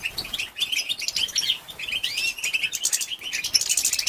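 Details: Female European goldfinch calls, used to stir male goldfinches into singing. Dense, rapid twittering and chirping, with bright buzzy notes and short upward slurs running almost without pause throughout.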